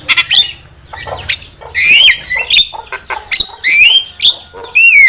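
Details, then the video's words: Javan myna singing for use as a trapping lure, a varied jumble of harsh squawks, short chacks and clear rising whistles, delivered in quick bursts with brief pauses between. "Pancingan suara burung jalak kebo gacor"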